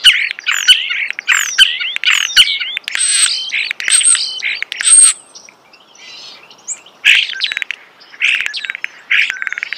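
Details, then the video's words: Loud, close starling song outdoors: harsh chattering bursts and high whistles, broken by a short quieter gap, then more rattling chatter and clicks. "The song of the starling"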